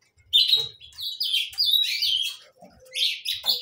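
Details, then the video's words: Saffron finch song: clear high whistles and buzzy chirps in quick phrases, a few lower soft notes between, and light tapping sounds. "gorriones pecho amarillo cantando"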